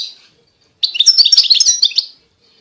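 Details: European goldfinch song from 2020: one fast, tinkling phrase of jumbled high chirps and slurred notes lasting just over a second, after a fading call.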